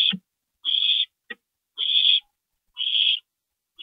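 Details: At an owl nest in the dark hours of April 22, 2012, while a parent drops in: steady harsh hissing bursts roughly once a second, with brief knocks and scrapes between them.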